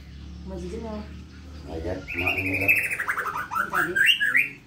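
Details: White-rumped shama, 'pastol' style song used as tutor material for young 'terotol' birds: a rapid run of bright notes sliding downward, then rising into sharp whistled phrases, following earlier talking voices.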